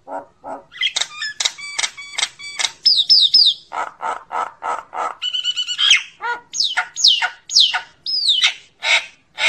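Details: A common myna calling the flock with a varied series of clicks, chuckling gurgles, harsh chacks and bright upslurred whistles, the notes spaced in quick uneven runs.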